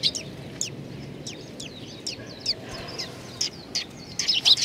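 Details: Juvenile sparrows gathered at food at Tenmangu shrine, Nakanoshima, on 25 May 2020, giving quick high chirps and downslurred notes from several birds, busier toward the end, with low background hum.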